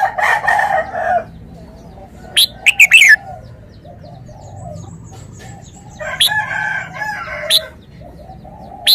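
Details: Red-whiskered bulbul repeating short bursts of sharp whistled notes in clusters, separated by quiet pauses. A noisier, rougher call opens the recording, and a faint low hum persists throughout.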